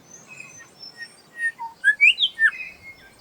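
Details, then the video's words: Grey Shrike-thrush at Gluepot Reserve, South Australia, giving a quick run of clear, ringing whistled notes, some sliding up and down, about five in 1.5 seconds after softer high notes; one of its many regionally varying calls. "Hear that? That's just one of the many calls of the Grey Shrikethrush."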